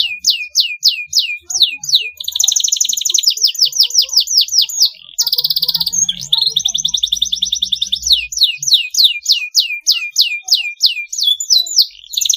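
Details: Long continuous canary song offered as a lure for young birds learning to sing: repeated descending whistles, fast dense trills and rattling rolls alternating in tours, bright and high throughout.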